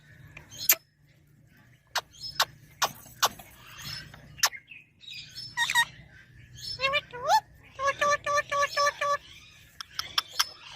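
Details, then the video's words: Ringneck parrot giving sharp, brief screeches followed by a run of rapid, harmonic chattering notes that rise and fall, with short pauses between bursts and a faint low hum beneath. "Parrot sound | Ringneck parrot"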